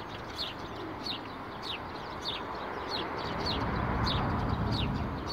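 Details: Sparrows in roadside bushes on Akademika Zelinskogo street, 12 April 2019, chirping clearly: sharp, high, falling notes repeated roughly twice a second, with traffic noise swelling underneath.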